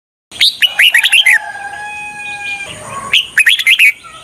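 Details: Decoy red-whiskered bulbul, used to lure wild birds for trapping, sings two bursts of quick, bright, warbled chirps, the phrases separated by a pause of long, steady whistled tones held at several pitches.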